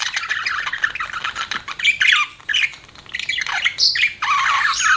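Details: Budgerigar pet chattering in scratchy squawks and chirps, with a few sharp rising squeaks among the dense warble.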